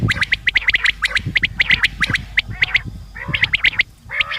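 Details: Common quail calling for hunting use: a fast run of crisp, high, evenly spaced notes, then lower wavering harsh calls joining in the final seconds.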